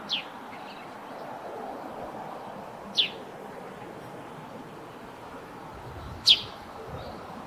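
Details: A Eurasian tree sparrow near its roof nest gives three isolated sharp, high chirps, about three seconds apart, the last the loudest, amid quiet background hiss.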